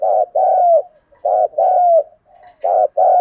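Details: Rapid paired cooing from a decoy spotted dove in the thổ voice style, prodding and calling coos: quick short notes each followed by a longer mellow falling coo, four notes packed into three seconds.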